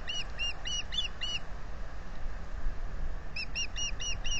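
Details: Nest-camera recording at Salt Point, April 15, 2020, of a nesting osprey pair as the male offers to incubate and the female declines: a burst of fast, high chirps, a pause, then another rapid chirp series, with low rumbling noise throughout.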